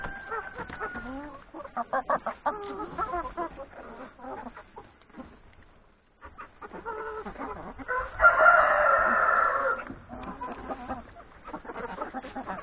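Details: Hens and three roosters at yard breakfast before heading out to graze in woodland; rapid, rhythmic clucking, a short lull, then a loud, sustained rooster crow lasting about two seconds, followed by more clucking.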